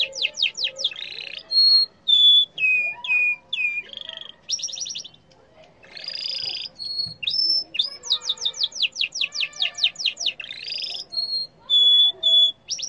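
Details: Singing yellow canary delivering a long varied song of rapid sweeping trills, buzzy rolls, steady whistled notes and repeated chips, with only brief gaps between phrases.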